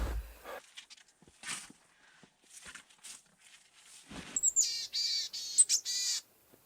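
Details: A Boreal Chickadee at a winter camp gives a hoarse, nasal, buzzy call with several harsh notes near the end, after sharp thuds of wood being chopped and a few spoken words.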